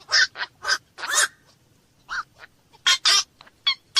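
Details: Rapid, rough squawks of a black-crowned night heron, several loud harsh notes in the first second and a half, a pause, then another cluster of grating calls.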